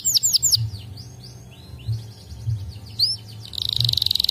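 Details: White canaries singing: a few sharp downward-sweeping whistles, then scattered soft chirps and twitters, ending in a fast buzzy trill; low hum underneath.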